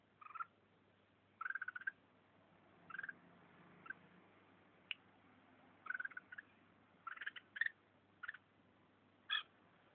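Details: Combative Red-whiskered bulbul from Vietnam, a northern-type bird, biting its owner's thumb; short harsh scratchy chattering bursts come in irregular clusters, about nine over ten seconds, with faint low background hum.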